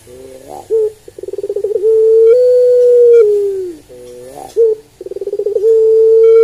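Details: Barbary dove (Streptopelia risoria) at home: two cooing phrases, each a bent grunt followed by rapid stuttering pulses rising into a long, steady, low hoot.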